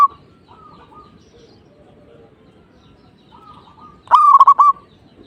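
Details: Zebra dove in full song aimed at a rival. Soft, distant cooing trills come first, then one loud, close, stuttered cooing phrase near the end.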